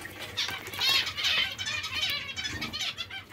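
Zebra finches give harsh, high, raspy begging calls, repeated about twice a second in uneven bursts, with soft rustling and flutter in the background.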